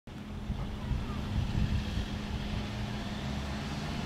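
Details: Deep rumble of passing road traffic that swells and fades, with no animal call heard.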